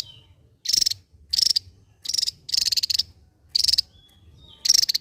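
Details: Javan white-eye, endemic to Java, in rattling 'ngebren' song: six high, densely pulsed buzzy bursts spaced unevenly, with a faint thin whistle in one gap.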